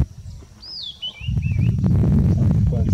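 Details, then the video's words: Red-backed scrub robin song, which varies from area to area: one high whistled phrase sliding down into two short upturned notes, followed by loud low rumbling noise. "Red-backed Scrub Robin singing"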